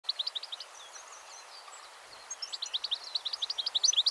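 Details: European goldfinch singing from a thin branch at Fowlsheugh: a fast, liquid jumble of high tinkling notes and twitters in two bursts with a brief lull between, over light background hiss.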